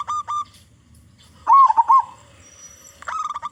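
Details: A loud local zebra dove sings to lure other zebra doves into song. Two short clipped notes lead to a rich bubbling trill, a pause, and then a fresh burst of quick coos, with low rumbling underneath.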